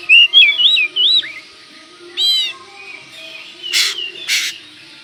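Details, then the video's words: Oriental magpie-robin in a lively lure song meant to provoke other magpie-robins: looping, wavering whistles, then a harsh buzzy rasp and two short bursts of noisy chatter, over a steady low hum. "pancingan burung Kacer gacor ini bisa mendobrak emosi Kacer anda"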